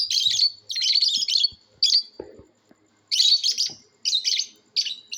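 Lovebirds give shrill, harsh chattering chirps in dense bursts of about half a second to a second, with short pauses between volleys, plus a faint low thump.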